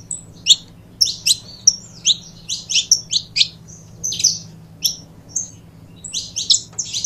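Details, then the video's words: Saffron finch singing irregular groups of sharp, high chirps with short pauses between bursts, some notes sliding downward, with a steady low hum faintly audible. "CANARIO DA TERRA"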